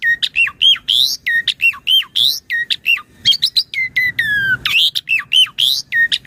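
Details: Lively Asian pied starling song, a master recording for teaching and triggering other starlings, morning to evening: dense repeated phrases of dropping whistles and harsh chirps, with a sustained falling whistle and buzzy squawks midway before the phrase pattern returns.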